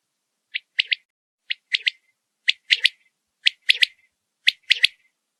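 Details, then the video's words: Quail repeating five short three-note phrases at a steady pace of about one per second, with the notes bright, high and clipped and the phrases growing slightly stronger. "Learn the sound of a quail bird"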